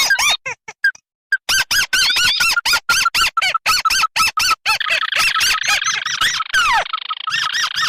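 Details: Lure call of a crake, tikusan merah (red) and tikusan putih (white) combined: rapid runs of loud arched squawking notes, roughly two per second, then a dense harsh chattering stretch.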